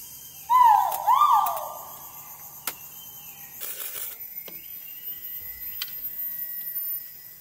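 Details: Great argus giving its mating call at Thung Chali on March 13, 2019: two loud, far-carrying notes, each swelling up then sliding down, followed by steady insect whines and a brief rustle.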